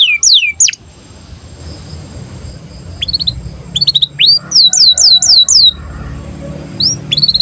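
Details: Canary in breeding condition, singing for young canaries to learn from: scattered sharp rising chirps and brief fast clusters of upslurred notes, separated by pauses, over a faint low hum.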